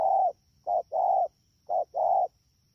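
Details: Spotted dove, wild-caught, Dak To, 3 October 2019: two quick coo pairs, each a clipped note leading into a fuller, longer coo, rapid and evenly pitched, with a quiet steady hum in the background.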